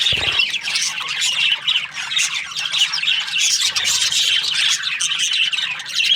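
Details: Budgerigar breeding pairs squawking and chirping in a thick, harsh chorus of overlapping high notes, with a brief low thump at the very beginning.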